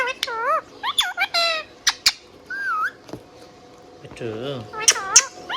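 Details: Pet Indian ringneck parakeet whistling and chirping indoors, with looping wavy whistles, sharp clicks and a lower warbled phrase, mixed with a few squawky notes.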